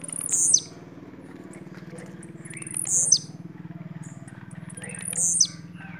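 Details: Bahian blue-black grassquit repeating a brief, very high buzzy note about every two and a half seconds, three times, over a constant low droning hum.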